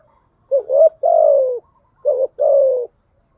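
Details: Spotted dove cooing used as a decoy to lure doves. Two soft phrases follow each other, each a quick hiccuping note leading into a sustained coo that slides slightly downward.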